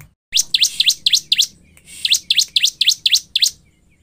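A Bar-winged Prinia sings a fast run of about a dozen sharp, high, down-slurred chips, roughly four per second, over a quiet background.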